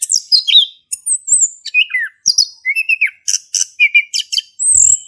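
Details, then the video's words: Singing male orange-headed thrush, 'ngeplong' style from Indonesia, for prompting a quiet thrush; high scratchy notes and falling whistles, then clipped repeated chips and a drawn-out whistle at the end. "Anis Kembang Jantan Gacor buat pancingan anis kembang macet bunyi"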